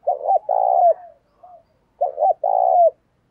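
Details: Decoy spotted dove cooing lustily to bring in wild birds: two loud phrases close together, each a rapid double hoot then an extended low vibrating coo that slurs downward, with a brief soft note between.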